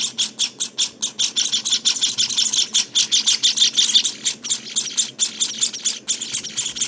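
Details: Java sparrow nestlings at day 19 giving rapid, high, chirping begging calls, pulsed about four to five times a second in a steady stream, loud and continuous throughout.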